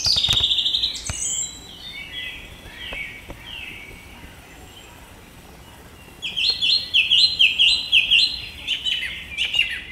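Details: Song thrush in song: a loud high opening note, scattered softer phrases, then a run of bright, sharply repeated notes, the same figure given again and again.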